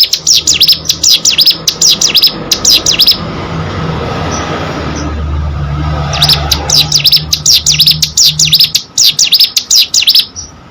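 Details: Caged hill prinia singing hard: strings of high, rapidly repeated V-shaped buzzy notes at the start and end, separated by a pause where a passing vehicle's rumble swells.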